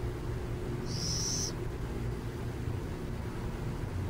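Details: One short raspy, high screech from a burrowing owl near San Jose, then only a steady low rumble.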